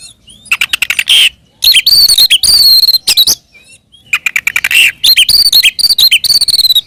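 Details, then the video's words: Oriental magpie-robin fighting song for provoking other birds of its kind: dense trills of high ticking notes and bright whistles, stopping twice briefly before resuming in rapid, chattering bursts. "SUARA BURUNG kacer gacor NGEPLONG TARUNG ini paling AMPUH buat PANCINGAN KACER agar EMOSI NYAUT"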